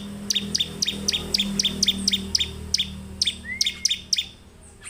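A Bar-winged prinia sings a fast run of sharp, high chip notes, about four a second, with one brief rising whistle; a low hum lies underneath.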